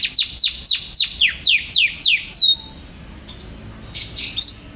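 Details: Canary song: a series of about nine sharp, high notes that each sweep downward, spaced roughly a quarter-second apart, followed by a short pause and a few brief, quieter chirps.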